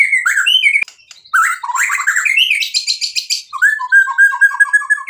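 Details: White-rumped shama in full filler-laden song: a rich, varied run of whistled and warbled phrases, sliding notes and rapid trills, ending in a series of short repeated chipping notes.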